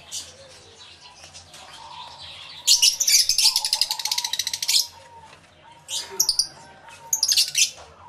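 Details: Numerous lovebirds in an aviary recorded live with two microphones: a long loud stretch of rapid, harsh, buzzy chattering, then quieter squeaks and short shrill bursts.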